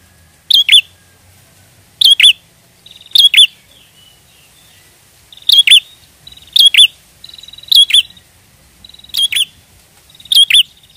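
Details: Actively singing prinia heard as a trapping lure, giving a steady series of loud doubled high chirps, several opening with a thin buzzing rattle, about one burst per second against quiet background.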